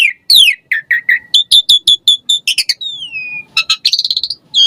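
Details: Asian pied starling in varied 'gacor' song used as a singing lure: falling whistles, then a regular series of short bright chirps, a long gliding whistle and a rapid buzzy trill.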